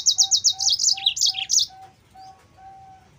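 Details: Yellow-fronted canary singing vigorously, a song used as a lure and tutor for other canaries: fast series of bright, high chirps repeated about three per second, then buzzy, sliding notes, with a steady low whistling tone pulsing underneath.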